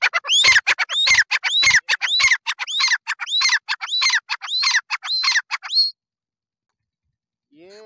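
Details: A captive Grey Francolin, one of a male–female breeding pair kept in Rahim Yar Khan, Punjab, Pakistan, gives loud, ringing, harsh notes rising then dropping, about twice a second for six seconds, then falls silent before a faint sound.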